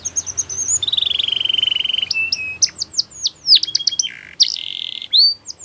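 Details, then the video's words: Belgian canary song with a high whistled opening, a long steady mid-pitched trill, then varied sharp chirps and slurred notes over light background hiss. "Nature Birds Sound Of Canary | Belgian Canary Singing"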